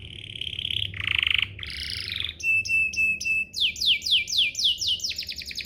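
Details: Canary singing as a prompt for other canaries to reply: rasping low trills, a thin high sustained tone, then a run of repeated falling whistled notes, with some low background hum.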